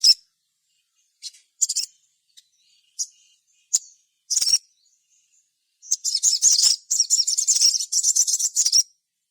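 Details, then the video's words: Sogon singing as a lure to get other sogon singing: scattered high thin chirps, then a dense run of rapid buzzy trills in the second half. "cukup putar suara sogon gacor ini"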